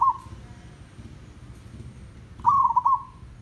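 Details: Tandang-style zebra dove from a village: the tail of one coo, then after a pause a loud phrase of rapid, stuttering coos that fades into a drawn-out note.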